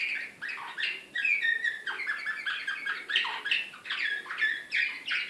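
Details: Excited canary of the Serbian slavujar song style, Belgrade 2016, pours out a dense, continuous stream of varied chirps, rolls and downward-slurred notes.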